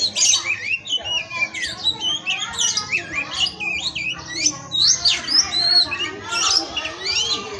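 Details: Oriental magpie-robin, a kacer used as a masteran tutor bird, singing a fast jumble of rising and falling whistles mixed with scratchy, squawking phrases, delivered without pause.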